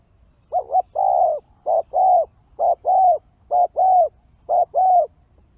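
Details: Spotted dove cooing in a recording used to lure wild birds: low, hollow coo notes in paired phrases, a short note followed by a longer one, repeated about once a second over a quiet background.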